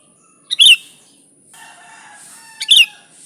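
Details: Sooty-headed bulbul in energetic song for luring its kind: two bright, bubbly notes about two seconds apart over a faint low hum.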